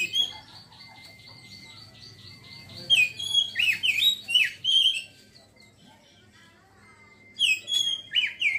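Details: Oriental magpie-robin singing in the chattering ngeriwik style: a soft run of quick repeated high notes, then loud, varied whistled phrases with sharp slurred up-and-down sweeps in bursts, pausing, then resuming; a steady faint tone and low hum underneath.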